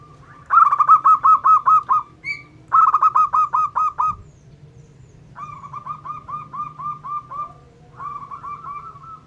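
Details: Zebra dove of a local Indonesian strain, singing to provoke rival doves: four phrases of rapid staccato cooing notes, the first two loud and even, the later two softer and quicker.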